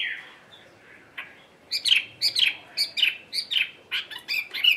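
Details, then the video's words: Tame Chinese hwamei singing by itself at midday in a cage. A soft low whistle is followed by a series of bright, downward-slurred whistled notes, repeated about every half second. "HM 320 ngũ trường siêu mẫu thuần đét solo giữa trưa"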